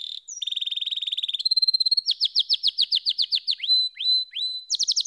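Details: Canary song opens with a dense, even trill, jumps to a held higher tone, then a lively series of rapid descending slurred notes and long level whistles, closing on quick high chirps.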